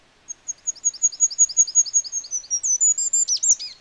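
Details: Wild goldcrest singing: a rapid, regular series of very high, thin double notes see-da see-da repeated about eight times, then a brief rising flourish and twittering end, clean with no other sounds.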